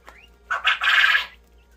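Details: A Japanese coturnix quail, one of a group kept for egg production in a three-tier cage, gives a faint thin rising squeak, then one harsh, buzzy, stuttering burst lasting under a second.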